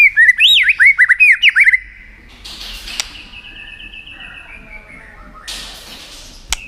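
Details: White-rumped shama, a tail-flicking bird used to rouse another shama into competitive singing, gives a rapid series of loud, looping whistled notes with upward and downward sweeps over about two seconds, then quiet with faint noises.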